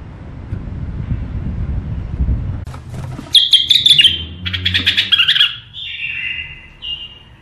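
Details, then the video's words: ['Tame caged bulbuls, a male and female pair, deliver a run of loud chattering whistles and rattling notes lasting a few seconds. Low engine-like rumble is heard underneath.'] "بلابل اليفات قفص تغريد حلو"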